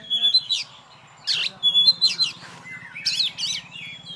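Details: Oriental magpie-robin, a caged champion songbird housed alone, delivering clear whistled notes mixed with harsh, sweeping high phrases in short bursts, with a low droning hum and soft human voices behind.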